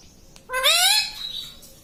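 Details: Pet talking parrot, kept indoors, mimicking words such as "mummy": one loud harsh rising voice-like call with many stacked harmonics, lasting about half a second, then fading, over quiet room background.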